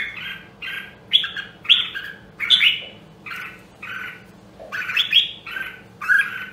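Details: A Nam Dong, Hue red-whiskered bulbul trained for competition singing delivers a steady run of brief chattering phrases, some with sharp upward whistled flicks, spaced by short gaps over a low background hum.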